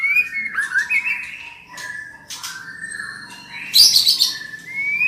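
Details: Female white-rumped shama singing as a lure to get a male going; sliding whistles and warbled notes, a scratchy burst near the end, and a light background hum.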